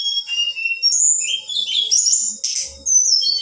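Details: A female Black-winged flycatcher-shrike calls to provoke males, giving a short run of sustained high whistles with rising and falling glides.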